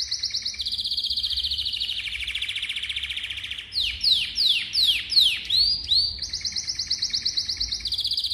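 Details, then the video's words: Malta canary song with a long rolling trill that slides gradually lower, a run of loud sweeping downslurred notes, then a bright rapid trill again. The singing is continuous and high-pitched, with a quiet low hum beneath. "kanarya ötmesi - Malta kanarya ötümü"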